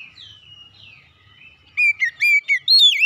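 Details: Oriental magpie-robin kept at home, song meant to spur other kacer into singing: a thin sliding whistle, then from midway five loud, clear, slurred whistled notes in quick succession, with a faint low rumble underneath.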